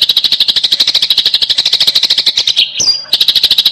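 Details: Eurasian tree sparrow fighting chatter: shrill chirps at about three per second, interrupted near the end by a short squeaky slurred note before the rapid series continues.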